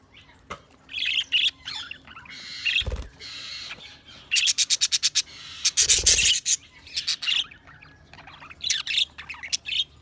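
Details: Budgerigars chirping: a chattering mix of warbled notes and squeaks, with bursts of rapid clicking chirps in quick succession and a couple of soft thumps.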